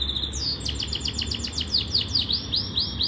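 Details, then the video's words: Yorkshire canary training song with quick descending swoops followed by loud arched whistles repeated about three times a second, bright and ringing over a quiet hum. "Most powerful Canary song | Rasmi Yorkshire canary song | best Canary training song"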